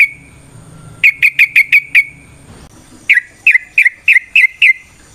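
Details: Sooty-headed bulbul lure song with varied phrasing: two quick runs of clear, slightly falling whistled notes, five in the first and six in the second, with a short gap between.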